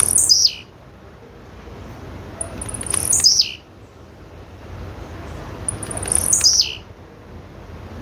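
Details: Three thin, piercing calls from a female blue-black grassquit, each a high note sliding steeply down after brief ticks, spaced about three seconds apart over quiet low background noise.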